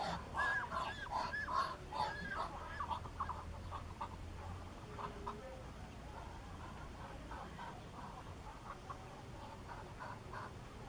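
Muscovy duck giving soft, breathy, repeated call notes, about two or three a second, fading after the first few seconds over a low background hum.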